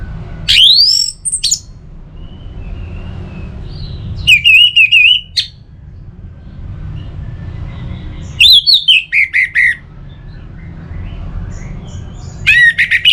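Orange-headed thrush singing loud, rich phrases of rising whistles, trills and squeaky notes about every four seconds, over a steady low background hum.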